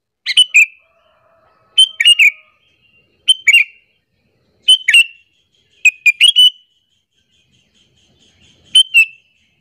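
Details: Sooty-headed bulbul calling to lure rival bulbuls and make them angry, giving bursts of two or three sharp chirps ending in a falling whistle, repeated about every one and a half seconds in otherwise quiet surroundings.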